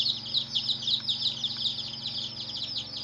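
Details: Hen's chicks chirping in a group, quick high-pitched falling peeps overlapping rapidly and continuously, with two faint soft knocks and a low hum underneath.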